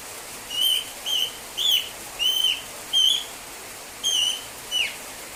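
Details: Female pet cockatiel left alone gives loud, short whistled contact calls over and over, seeking attention.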